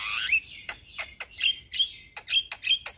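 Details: A young Javan myna, kept as a singing tutor for other mynas, opens with a long descending whistle and follows with short harsh rasps and bright chirps at an uneven pace.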